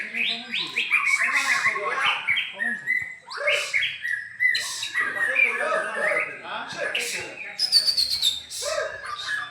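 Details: White-rumped shama singing at a bird contest: rich, fast, varied phrases of whistles, trills and chattering notes, bursts several seconds long separated by brief pauses, with faint voices in the background.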